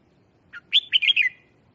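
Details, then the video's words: Lure song from a red-whiskered bulbul to attract wild birds: one short note leading into a brisk run of ringing whistled notes, all within under a second. "Tiếng chào mào mồi hót gọi bổi má trắng, kích bổi sổ bọng hót căng lửa"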